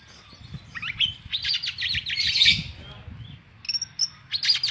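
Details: Oriental magpie-robin (kacer) in energetic song: a run of repeated buzzy notes swelling into a dense harsh rattle, a pause, then sharp high chattering bursts, over low thumping background noise.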